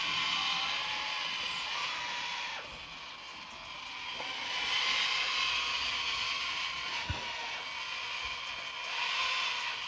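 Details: Baby Sulphur-crested cockatoo chicks screaming for breakfast give harsh, grating, rasping screams in long continuous bursts broken by brief pauses, loud and hoarse, almost mechanical.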